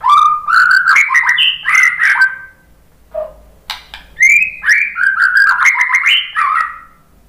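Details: White-rumped shama song used to spur other shamas into singing: loud rich whistled phrases rising and falling, rapid varied notes with a brief pause midway, then another burst of fluty warbling.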